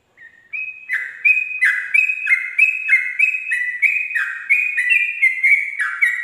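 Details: Sooty-headed bulbul at dawn giving fast 'ropel' song for training other birds: one short opening note, then sustained alternating bright whistles, roughly three phrases a second, evenly loud throughout.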